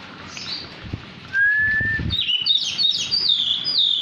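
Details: Tame poci-type Oriental magpie-robin in active song. A clear, level whistle is followed by a tumbling sequence of high, sweet whistled notes rising and falling quickly. A low hum runs underneath.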